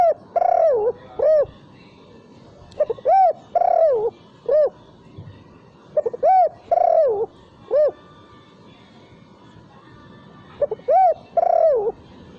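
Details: Spotted dove coos as a lure sound for birds, without the 'kuk' ending: four repeated phrases roughly every three seconds, each of stuttered lead-in notes, a wavering drawn coo and a rounded hooting note, in quiet surroundings.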